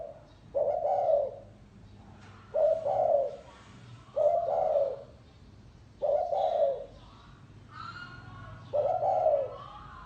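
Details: Gáy gù style cooing from a spotted dove: five deep, rounded coo phrases spaced roughly two seconds apart, with faint higher chirping between them.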